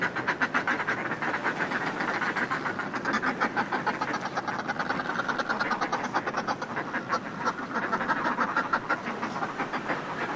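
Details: Groups of northern fulmars displaying on cliff ledges, recorded close: a continuous, hoarse rapid-fire cackling chorus layered over constant sea wash.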